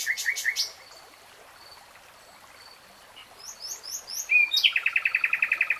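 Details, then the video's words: Common nightingale singing: a short rapid phrase of repeated notes, a long near-silent gap with faint high whistles, then a brisk, evenly spaced series of loud chattering notes. "BEST NIGHTINGALE SONG"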